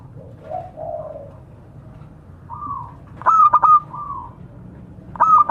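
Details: Local zebra dove calling to its companions. Soft, low, wavering coos build into a loud staccato phrase of rapid pulses and a bright sustained note, and a further phrase begins at the end.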